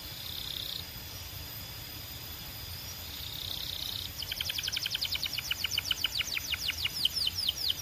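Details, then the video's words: Belgian canary singing: soft buzzy high tones for the first seconds, then a rhythmic trill of sharp descending notes starting midway and steadily increasing in loudness. "Impossible If Your Canary Does Not Immediately Sing‼️ Belgian Canary"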